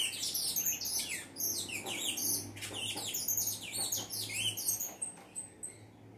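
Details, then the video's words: Saffron finch singing a lot: rapid high chirps and sweeping notes tumble out almost continuously, about four per second, over a faint low steady hum, thinning to a few scattered notes at the close. "canário da terra cantando muito"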